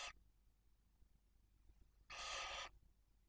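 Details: Barn owl at a nest in Cabañeros National Park, Spain, where a female cares for two chicks one and four days old fed with prey from the male. A brief hiss is followed after a pause by one long, loud, rasping hiss.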